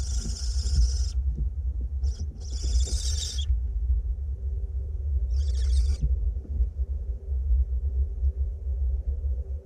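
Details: In a north Glasgow nest box, two barn owlets being fed give a long rasping hiss, then a few broken shorter hisses and a long quiet stretch with only low rumbling and faint taps.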